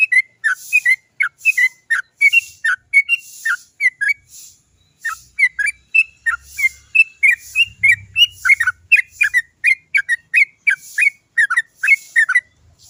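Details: Sooty-headed bulbul in long, rolling 'cok cok cok' song used to coax others into singing: a continuous chatter of bright whistled notes, sliding up and down, packed closely over many seconds, with a faint low rumble midway.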